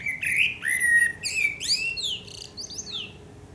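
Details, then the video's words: Eurasian blackbird (Turdus merula) at sunset in Akersloot, Netherlands, 30 March 2018: clear mellow whistled notes, then a series of rising and falling thin high squeaks that fade toward the end. "Singing Eurasian Blackbird"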